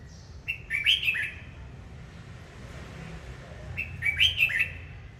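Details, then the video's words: Singing and dancing red-whiskered bulbul: a bubbly, chattering phrase of several fast warbled notes, a three-second silence, then a near-identical phrase repeated, with low rumbling noise underneath. "Chào mào hót múa"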